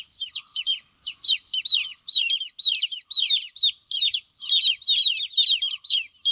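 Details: Chicks of a domestic chicken crying while their mother hen is away: dense, high, downward-slurred peeping notes in overlapping bursts, roughly two per second, from several chicks, with no other sounds.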